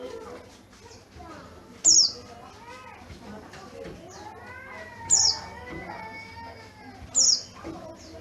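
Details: Oriental white-eye of the yellow-breasted type from Garut, noted for a loud, crystal-clear voice: three piercing high chirps, each sliding downward, against background talking and faint bird calls.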